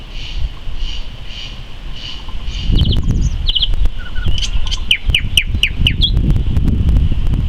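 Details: Nightingale song recorded in May 2014: soft repeated notes at first, then loud clicky phrases and a series of sharp descending whistled notes repeated about four per second, over constant low background rumble.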